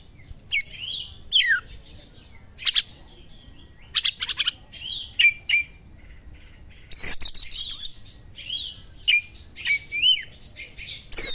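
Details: Kacer (Oriental magpie-robin) song built from sharp small-bird material meant to excite other kacer: separate bursts of whistles, rapid clicking trills and harsh buzzy chatter spaced by short pauses.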